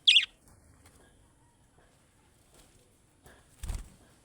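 A budgerigar gives one quick, high, downward-sliding chirp, then falls quiet.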